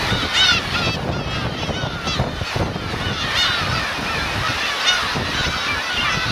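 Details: Black-tailed gull parents and chicks on the Kurosaki shore of Teuri Island, Hokkaido, Japan, 13 June 2021. Loud nasal mewing cries rise and fall, with several birds calling at once over crashing waves.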